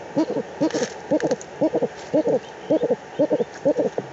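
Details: Eagle-owl at a breeding site in Germany's Eifel region, 4 March 2020, giving short doubled hoarse notes in quick, fairly regular pairs about every half second, steady and close, with faint hiss behind.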